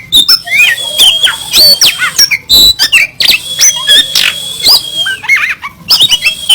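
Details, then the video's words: Oriental magpie-robin (kacer) in vigorous 'kasaran' song: loud varied whistles, some long and level, others swooping up or down, interspersed with clicks and harsh chips in a fast, jumbled delivery. "Materi Kasaran Burung Kacer Gacor, Bikin Lawan Gembung"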